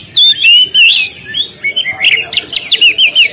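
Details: Oriental magpie-robin on a contest stand, singing loud, sweet whistled phrases that slide up and down, then a fast run of sharp repeated chirps about three per second.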